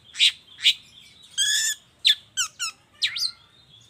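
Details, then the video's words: Long-tailed shrike lure sound from the morning, played to make shrikes join in: two sharp chirps, a drawn-out buzzy note, then quick down-slurred squeaks and a twisting, squealy call. "suara pancingan cendet cendet di pagi hari YANG BIKIN CENDET MACET sekalipun IKUTAN BUNYI toet toet"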